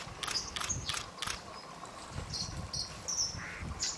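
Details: White-throated dippers in a territorial fight on the Thin river near Warby, France, giving a quick run of thin, high, clipped calls, some doubled, with light splashing and steady stream noise behind.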